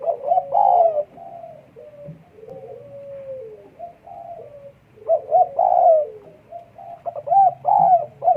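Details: Spotted dove in breeding condition calling strongly, mellow coo phrases of short notes and longer drawn coos, with softer continuous cooing between the louder bursts.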